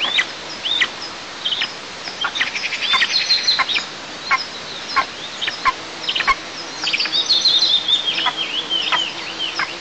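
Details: Nestling eagles in southeast Tatarstan, 6 July 2024, objecting to their mother feeding herself. Scattered thin, high squeals give way to rapid, bunched chattering whistles that slide down in pitch, over steady background hiss.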